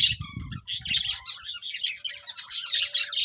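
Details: Budgerigars chattering in quick high chirps and buzzy warbles, following a short burst of low rumbling at the start.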